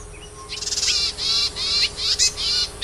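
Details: Yuhina in the wild, foraging for its young, gives a tight string of high, buzzy chirps. Around six to eight notes are packed close together and overlap, with a faint steady tone underneath.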